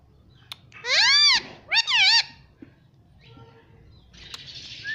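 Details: Rose-ringed parakeet kept as a pet that says "mummy" gives two loud, nasal, arching syllables, the second broken into quick wavering notes, followed by soft hiss and a faint rising squeak.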